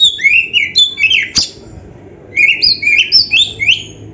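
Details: Oriental magpie-robin, recorded for training other birds: two bursts of quick, bright whistled phrases, each note slurred downward, separated by a short silence.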